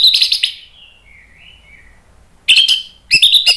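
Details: Red-billed malkoha kept as a songbird in Indonesia, used to coax silent birds into singing: loud bursts of harsh, buzzy high notes, a faint wavering whistle between them, then two more clusters of sharp chattering notes.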